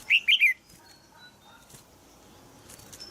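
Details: Caged female red-whiskered bulbul in Thailand calls to encourage a young male to sing, giving one brief burst of three quick, bright chirps at the start, then quiet with faint background sounds.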